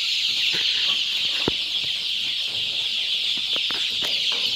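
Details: Two-week-old improved Kienyeji chicks, a large active group on a Kenyan poultry farm after feeding, fill the air with constant shrill peeps, while sharp clicks from pecking or scrambling feet punctuate the chorus irregularly.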